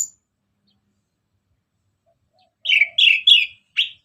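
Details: Orange-headed thrush singing ngeplong as a lure for other birds: after near silence, a brief series of four quick, slurred warbling notes in a short burst.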